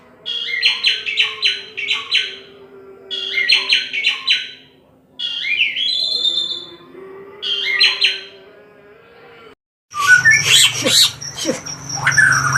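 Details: Oriental magpie-robin singing in repeated bursts of bright chirps and sharp rising whistles, phrases spaced about two seconds apart, over a steady low hum; a harsher, noisy burst of sound fills the last few seconds.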